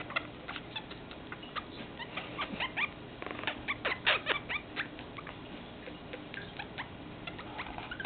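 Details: Pet Meyer's parrot being affectionate, giving a loose series of dry clicks and brief chirped notes, busiest in the middle with a quick flurry of sharp, descending chirps, then sparse ticking; quiet room background.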